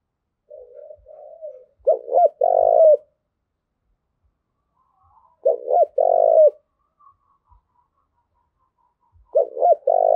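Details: Spotted dove cooing call, used to train decoy birds and stimulate males. Three loud, low phrases come about every three and a half seconds. Each has two short hoarse notes and then a long purring coo, with soft murmurs between phrases.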